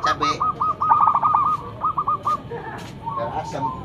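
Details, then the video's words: Local zebra dove used for luring, with a loud run of quick whistled coos, then a few spaced notes, fading into murmuring background sounds. "Perkutut lokal gacor mental bagus suara NYARING pikat super"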